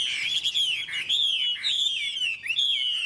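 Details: Chinese hwamei giving a steady, unbroken warble of wavering whistles that rise and fall around one pitch, with brief upward flicks.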